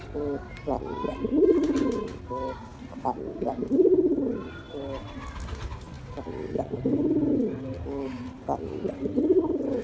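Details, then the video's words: Courting male pigeon trying to attract a female gives four low, throaty cooing phrases spaced roughly two to three seconds apart, each a rounded, bubbling swell, with soft twittering behind. "Male Pigeon Sounds To Attract Female Pigeon"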